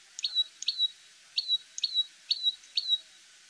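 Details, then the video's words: Common tailorbird, an Indian bird, gives sharp, high chirps in quick pairs, about two per second, each ending in a thin whistled note. "SOUND of Common Tailorbird"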